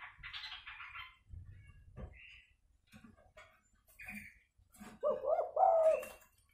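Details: Spotted dove fighting call, played as a lure to draw wild doves down for trapping; after scattered clicks and soft bursts, a loud burst of low, rolling coo notes closes the recording.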